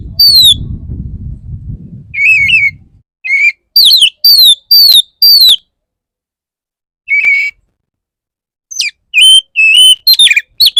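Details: Courting male Oriental magpie-robin directed at a female: low rumble at first, then a series of loud descending whistles repeated about every half second, short wavering phrases and rapid chip notes.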